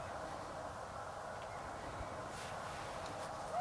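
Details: Snow geese by the tens of thousands on Pungo Lake, Eastern North Carolina, January 5, 2011, taken with a Canon 7D; a steady wall of overlapping honks, slightly softer, with brief rustling and clicking noises.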